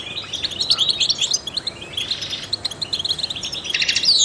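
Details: Trained goldfinch song for stimulating songbirds: quick tinkling chirps and twitters run together, with a short rising slur midway and a buzzy trill closing the phrase.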